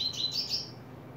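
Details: Coleiro, or Double-collared Seedeater, recorded in July 2024 opening its song: short, high, thin twittering notes that rise and fall for about a second against a quiet background.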